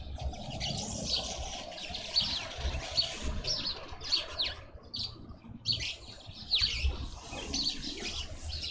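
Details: A Green wood hoopoe in a suburban garden in Pretoria, South Africa, gives harsh, scratchy chattering bursts about once a second, over a low rumble of background noise.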